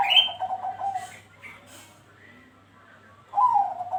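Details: Bangkok-type zebra dove (perkutut) used as a lure to prompt other doves to sing: a soft, warbled, cooing phrase around a high opening note, a quiet pause, then another cooing phrase starting; faint chirps of other birds, steady low hum.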